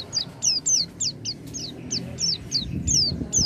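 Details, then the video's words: Oriental white-eye song for coaxing a silent bird: high, thin notes that slide downward, repeated about every quarter second over a low rumbling background. "pancingan pleci macet bunyi dengan suara ini"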